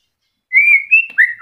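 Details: Singing white-rumped shama during moult: a long, level whistled note, a slightly higher whistle, then two short downward-slurred whistles in barely a second.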